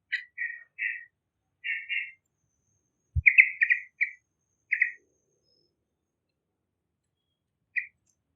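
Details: Young bakalan Yellow-vented bulbul singing vigorously, its voice used to lure other birds; paired bubbly whistled notes come in short irregular bursts, a dense chortled cluster mid-way, then one final note after a pause, with a faint low thump.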